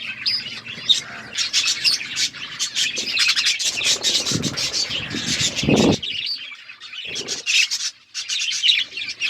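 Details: Pet budgerigars chirping as they eat seeds, a steady stream of overlapping high twitters and warbles, with a few louder low thumps and rustles from feeding or movement in between.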